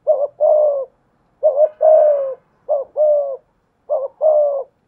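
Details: Spotted dove used as a decoy, with a 'thổ pha thúc' voice, giving 'gù' coos to challenge a wild dove. Four paired phrases of a short wavering note then a longer, level, hoarse coo, about one pair every 1.2 seconds. Quiet background.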